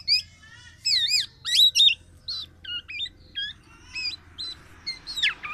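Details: A tame black-naped oriole in full song gives its distinctive loud, varied notes: twisting whistled phrases and sharp chirps about one per second, over a low steady hum.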